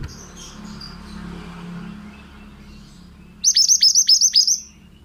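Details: Male pied bushchat singing for a training recording: after several seconds of low hum and faint high calls, a sudden rapid phrase of about eight sharp, descending whistled notes.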